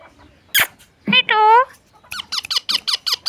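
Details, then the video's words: Pet parrot talking, said to be saying mummy and papa: a voice-like harmonic syllable with a sliding tone, then a fast run of harsh, evenly repeated squawk pulses, indoors with a person's voice nearby. "parrot talking mummy papa"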